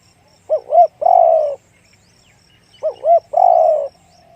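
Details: Big-voiced one-kuk spotted dove: two quick rising-falling coos followed by a long, slightly descending coo, the phrase given twice about two seconds apart, with a faint high tone in the background.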